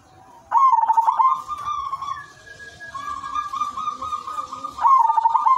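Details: Melodious song of a silver zebra dove meant to set other doves calling: a loud burst of quick stuttering coos opens, followed by long even tones, then a second rapid rolling phrase at the end.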